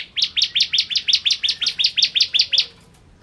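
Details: Bar-winged prinia in energetic song: a fast, regular string of about thirteen bright, rising high notes over two and a half seconds, clean and loud against a quiet background.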